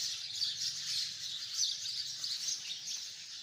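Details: A tree full of hundreds of sparrows produces unbroken, shrill chattering, many thin chirps blending into one busy, even chorus.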